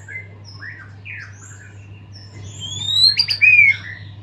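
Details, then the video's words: Post-moult white-rumped shama in lively full song: soft slurred notes at first, then a loud rising whistle that climbs sharply, followed by a bright descending whistled phrase, with a constant low hum underneath. "murai gacor full isian pasca mabung"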